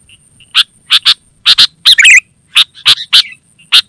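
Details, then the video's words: Sooty-headed bulbul calls meant for luring wild birds and tutoring caged ones: spaced, crisp chip notes, some paired, with one bubbly rolling phrase in the middle; a faint continuous high tone persists. "Suara Burung KUTILANG GACOR Terbaik Untuk Panggilan dan Masteran"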